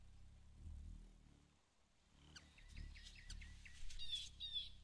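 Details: Leucistic Black-chinned Hummingbird outdoors: a quick series of sharp, dry chip notes, about a dozen over two seconds, then thin squeaky twitters, over a faint low rumble.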